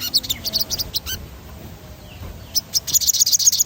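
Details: Sogon rolling song for stimulating other birds: a quick burst of sharp high chirps, a second of near quiet, then an evenly spaced fast trill of bright notes.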